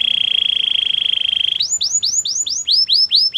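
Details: Champion canary song used for training other canaries: a fast, even high trill held for about a second and a half, then breaking into a run of quick downslurred whistled notes, about three per second.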